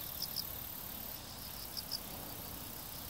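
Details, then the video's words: African stonechat found in farmland on 21 September 2013, the first of the season, gives two short pairs of high, sharp ticking notes over a steady hiss of background noise. "ノビタキ / African Stonechat"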